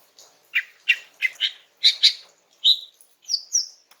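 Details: Female greater green leafbird singing a relaxed song meant to draw a reply from a young male; clear separate chirped and whistled notes, some paired, about one every half second, ending in higher slurred whistles.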